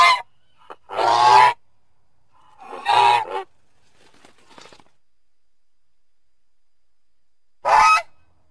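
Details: Goose uttering loud, harsh, drawn-out honks spaced a second or two apart, with a long quiet stretch before a final honk.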